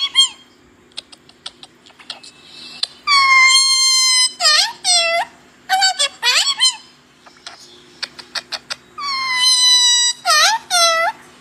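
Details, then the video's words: Talking parrots kept as pets, mimicking speech in a small room: bursts of harmonic, voice-like syllables with swooping inflections, separated by soft clicks and short chatters, repeated several times over a steady background hum. "Talking parrots (میرے پیارے بولنے والے طوطے )"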